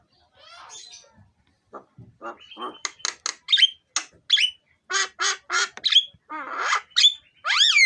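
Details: Black-winged starling song as a lure: harsh chattering notes, then sharp rapid clicks and bursts, ending in rising and falling whistled phrases.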